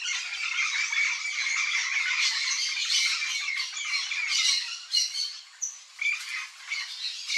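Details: Yellow-faced parrot (papagaio-galego), a bird of central Brazil, giving harsh, raspy squawks that run almost continuously for five seconds, then break into separate loud bursts spaced about half a second apart.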